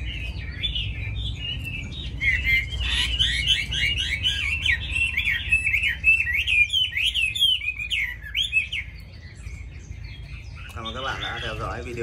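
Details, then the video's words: Vietnamese caged hwamei, hand-tamed, pours out fast, repeated rolling whistled phrases for several seconds, then eases off into softer notes near the end, over low background rumble. "Mi thuần cb86879 đẹp mau mỏ hót tốt"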